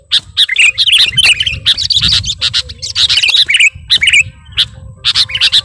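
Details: Sooty-headed bulbul in full song toward a rival, giving dense runs of chirps and bubbling whistled phrases almost without pause, over a low background rumble.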